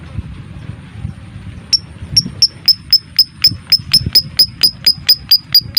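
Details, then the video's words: Lovebird performing the rapid 'ngetik' typing-style song used as a lure to spur other lovebirds into singing and mating: after a quiet start, sharp high ticks repeat about four times per second in a steady, tight run. "MASTERAN LOVEBIRD suara Ngetik ll Ngekek Rapat ll Rapi"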